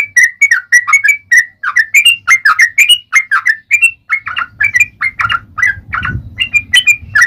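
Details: Fighting-mood yellow-vented bulbul, long 'ropel panjang' song meant to lure other bulbuls into singing: continuous rippling whistled notes, slurred up and down, with low rumbling background noise in the second half.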